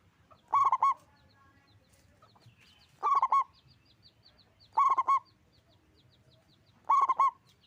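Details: Local zebra dove with a big, carrying voice repeating its cooing song four times, roughly every two seconds. Each burst is a quick run of three or four warbling coos, with faint high chirps between.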